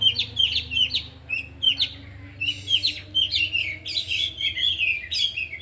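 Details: Oriental magpie-robins, four caged birds at afternoon practice, repeat short sharp chirps in quick sets, then build into busy overlapping whistles and rasps while displaying their 'isian' repertoire.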